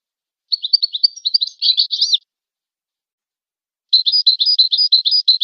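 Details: European goldfinch song for training: a twittering phrase of quick chirps and rolled notes, a pause, then an even run of repeated high chirps.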